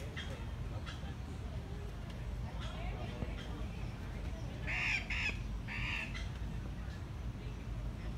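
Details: Andean cock-of-the-rock at San Diego Zoo, heard at very close range, giving two harsh, squawking, surreal puppet-like calls about a second apart, over a steady low rumble and people talking.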